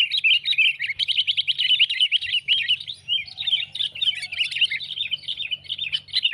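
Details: Sooty-headed bulbul lure call for catching birds, loud rapid twittering and chirping packed closely together, a short dip near the middle, then more strident chatter, over a low steady hum.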